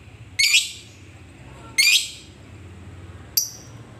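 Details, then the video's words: Lovebird calling a rival as a lure: two harsh, scratchy high squawks about 1.4 seconds apart, then a short sharp chip, with a low humming background. "Pancingan Lovebird Paling Di Cari Memanggil Lawan, Jadikan Lovebird, labet Rajin Bunyi Dan GACOR"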